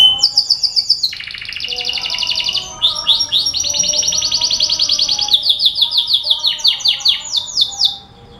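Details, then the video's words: Canary singing a lure recording meant to set other canaries off: long, rapid, high trills, each held a second or more before jumping to a new pitch, delivered continuously without pause. "Suara pancingan kenari di jamin langsung bunyi"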